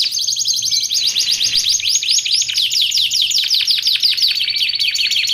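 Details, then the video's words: Canary song for training and luring: long unbroken high trill of fast repeated notes, dense and rolling, with brief steady tones early on. "Suara Kicauan Burung Kenari Menggila Untuk Masteran Dan Pikat"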